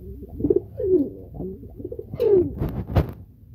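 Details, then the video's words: Close, loud pigeon coos from a feeding loft in Bangladesh. Deep, gurgling notes slide downward, a few in quick succession, with a sharp clatter near the end. "Pigeon Feeding Loft"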